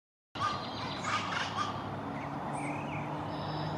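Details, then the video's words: Rufous-vented chachalacas (Ortalis ruficauda) in Caracas, a bird singing in duet with its mate: harsh, grating chorus calls with a few short clipped notes about half a second apart, over steady background noise. "Guacharacas/chachalacas cantando (Ortalis ruficauda)"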